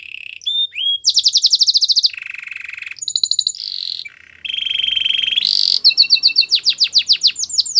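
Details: Canary song used to coax a quiet canary back into singing: varied tours of rapid buzzy trills, flat whistled tones and downslurred notes switching every second or so, ending in quick falling swoops.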